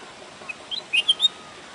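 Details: Bulbul calling: a short run of four or five quick, sweet chirped notes around the upper-middle range, the last three louder and closely spaced, over faint steady background hiss.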